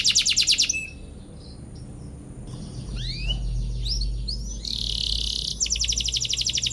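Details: Canary singing to provoke rival birds: a fast high trill, then a quieter gap with soft chirps and low rumbling background, ending with a buzzy note and another rapid bright trill.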